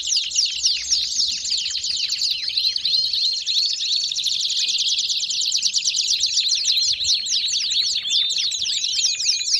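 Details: Belgian canaries singing, a dense continuous chorus of rapid twittering trills and quick sweeping notes overlapping without pause, likely several birds together.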